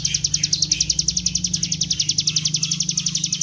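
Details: Bar-winged prinia song used as a lure, in the gacor ngebren style. High, quick, repeated chips form a continuous rattle over a steady low hum.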